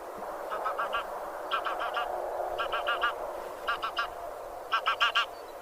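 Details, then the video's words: Geese of the genus Anser calling: short, nasal, harmonic honks given in quick clusters of three to four. About five clusters arrive roughly a second apart over a steady, broad rushing background murmur. "Anser 1h Bird sound"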